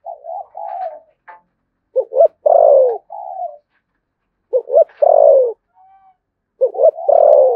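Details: "Thổ sấm" voiced spotted dove from Đồng Nai, Vietnam, in "thúc gù" cooing. Soft level coos open, then three phrases of stuttered double notes running into a long, downward-sliding coo.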